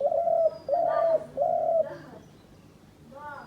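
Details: Hunter's decoy dove giving three drawn-out, mellow coos in a row, each about half a second long, followed by quieter fading notes.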